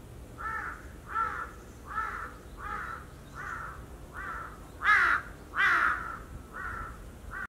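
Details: A large-billed crow in Kin, Okinawa, Japan, recorded 13 December 2016, gives a series of about ten hoarse, clear caws, roughly one every 0.7 seconds; two louder, harsher caws come near the end, over faint background hum.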